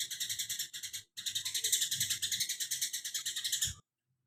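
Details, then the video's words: Cucak kinoi singing a fast, rattling run of harsh rasping notes, broken by a short pause after one second, then continuing evenly for nearly three seconds before stopping abruptly; faint low background hum. "cucak kinoi tembakan greja rapet"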